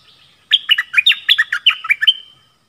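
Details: Nok dok taeng singing a 'double' song style while dueling with wild birds. One rapid phrase of about ten sharp, bright, chirpy notes dropping and rising in quick succession, followed by a short trailing whistle, on a quiet background.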